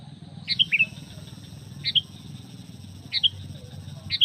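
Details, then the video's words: Sooty-headed bulbul lure call, used to attract other bulbuls and wild birds from the forest: short, bright phrases of two to three descending notes, repeated about every 1.3 seconds over a low steady hum. "SUARA PANGGILAN PIKAT KUTILANG MENGGARUDA"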